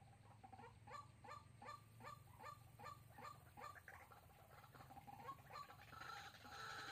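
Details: Lure recording of a white-breasted waterhen used in trapping, Soc Trang, Vietnam, February 2021: repeated hoarse notes about two per second that fade toward the end into hiss and low hum.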